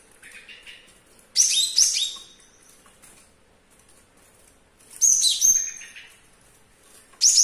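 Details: Young caged male Java sparrow, owned about two weeks, singing diligently in a kitchen though its foot is injured and a claw lost; loud bursts of high tinkling, bell-like notes and fast chips recur about every three to four seconds.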